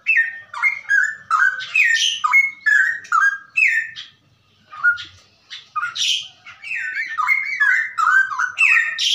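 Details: A captive straw-headed bulbul pours out loud, rich, bubbling rapid-fire song, phrases rolling quickly up and down in clear whistled warbles, with only a brief pause midway.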